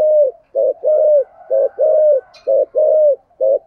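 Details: Decoy spotted dove cooing in the 'thổ' voice style, mixing thúc and gù phrases: paired short and long mellow coos repeated roughly once a second. A faint, brief higher sound appears midway.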